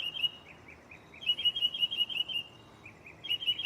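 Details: Mockingbird singing at night from a tree right next to the recorder, shuffling through its catalog of songs: high chirped notes in quick series, a short run followed by a denser, brighter burst of repeated notes.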